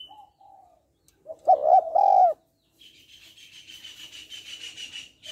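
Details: Female spotted dove calling to stimulate males: a few soft coos, then one loud phrase of paired coos and a drawn-out coo, followed by a steady high buzzing drone.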